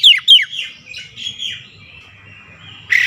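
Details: Goce bird giving a few sharp falling whistles in quick succession, then softer warbled notes trailing off, with a brief loud burst at the end over faint low background noise.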